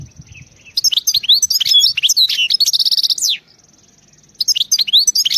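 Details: European goldfinch giving a wild-style (khalawi) song: after a quiet start, a burst of rapid high twittering with sharp slurred notes and a buzzy trill, a short pause, then the twittering resumes.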